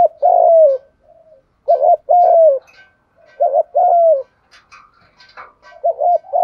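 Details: Spotted dove giving a lure call to bring other doves closer; soft hollow coos in repeated phrases, double hoot then a falling drawn-out note, four phrases, with faint high twitters near the end.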